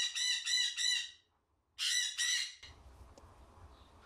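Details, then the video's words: Young unrelated pair of white-bellied caiques, a hen from last season and a male about 12 months old, giving harsh, loud screeching calls in quick pulsed bursts, two volleys about a second apart, then quiet room noise. "White bellied caiques"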